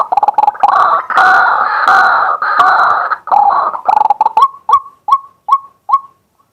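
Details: Male White-breasted waterhen calling by day, recorded live on a set camera: loud, harsh, continuous croaking chorus giving way to a regular series of short clipped rising notes.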